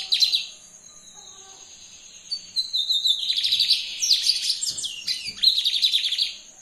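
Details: Lined seedeater in brown plumage delivers an energetic song: sharp high chips, a pause, then long buzzy trills of rapid repeated notes broken by quick downward-sweeping whistles. A constant high electronic whine runs underneath.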